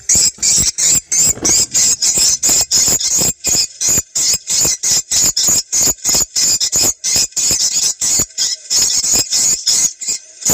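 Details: Swiftlet lure sound from South Kalimantan, meant for phone or speaker playback to attract swiftlets to a site, ideally as the sky darkens. High, sharp chirps pulse steadily about three times a second throughout.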